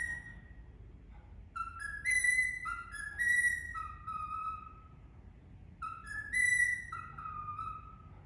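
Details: Singing Indian ringneck parrot whistling a tune: a short phrase of held, flute-like notes stepping up then gliding down, a pause, then the phrase repeated almost identically; faint room hum beneath.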